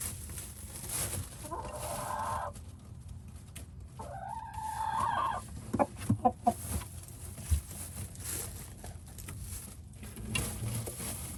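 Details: Rooster in a nest box with a hen, possibly making a nest for her as owner suspects, on coop move day in New England, gives low, wavering crooning calls, two drawn-out phrases about two seconds long, then a few short clucks.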